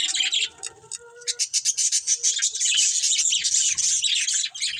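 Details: A breeding pair of budgerigars chirping, starting with soft tonal notes, then building into a fast, dense stream of scratchy warbling chirps.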